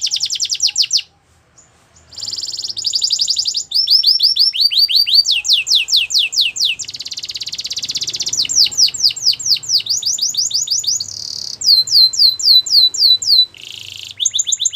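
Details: Morning song of a Belgian canary, a long, varied series of rapid trills and rolling buzzy tours broken by a short pause near the start, with rising slurred notes repeated in quick runs between.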